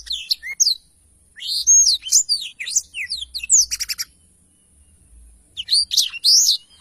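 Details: Black-throated canary singing in a strong, busy tutor recording for training songbirds: high sweeping whistles and rapid trills in bursts, with a short pause midway.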